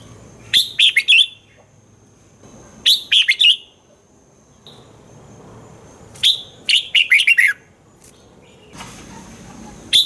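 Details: Red-whiskered bulbul song, played to make caged birds lively: bright, liquid phrases of four or five quick chirped notes in a bouncing pattern, four bursts spaced two to three seconds apart over a quiet background.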